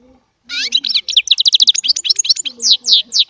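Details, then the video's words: After a brief silence, a small Baster goldfinch bursts into chardonneret song, a steady stream of rapid, high, clipped chirps and downslurred whistles. "Baster song"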